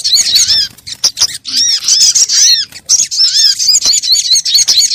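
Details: Crimson sunbird lure call, used to attract birds and make them sing; dense bursts of high, arching chirps with sharp clicks, repeated in busy runs broken by brief gaps.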